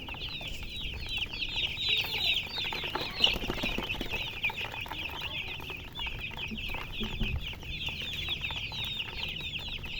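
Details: A flock of baby chickens giving a dense, unbroken stream of shrill, short peeps, many overlapping and slurring down in pitch, over faint low background noise.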